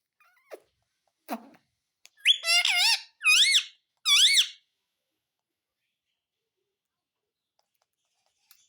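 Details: Pet Indian ringneck parakeet talking, mimicking "mummy papa" in a high, squeaky voice with wavering rising and falling syllables in three short bursts, followed by silence, indoors.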